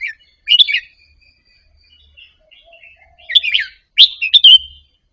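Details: Red-whiskered bulbul of Indonesian type practising soft double-phrase singing, used to spur caged birds to sing along; a short chirp, then a burst of lively whistled notes later in the clip, with quiet twittering in between.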